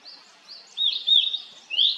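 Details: Short burst from a blue-and-white flycatcher (Cyanoptila cyanomelana): clear whistled notes sliding and wavering, broken into three loud pieces, with soft high chirping behind.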